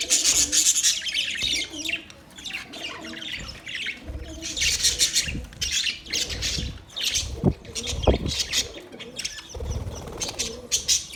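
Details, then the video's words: Budgerigars chirping in a dense, scratchy chatter of overlapping high notes, with bursts of busy twittering; low thumps and rustling like wing flaps run underneath. "Budgies chirping sound"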